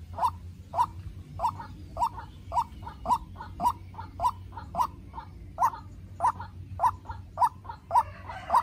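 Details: Strong, rapid, evenly spaced hoarse notes of a White-breasted waterhen, a captive young decoy confronting a wild bird, continuing nearly two per second for the whole stretch.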